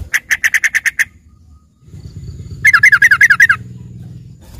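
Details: Yellow-vented bulbul filler song for training green leafbirds: an even run of eight quick chirps, a pause with low rumble, then a faster wavering chatter of rolling notes.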